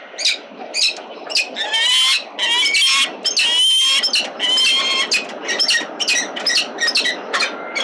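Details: Peregrine falcons at a nest on a building at 367 Collins on 26 Aug 2022, during egg-laying, as a mate arrives with breakfast and takes over the eggs; harsh squealing, grating calls about once a second, some drawn into longer wails.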